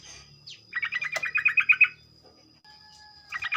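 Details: Morning song of a sooty-headed bulbul used to stir others into singing: a quick phrase of about eleven bubbly, slightly descending notes, a sharp click, and the start of another phrase at the end.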